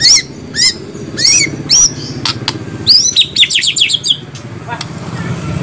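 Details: White-rumped shama phrases heard as spaced, sharp chevron-shaped whistles, then a quick tumbling cascade of descending notes, over a low rumbling background hum.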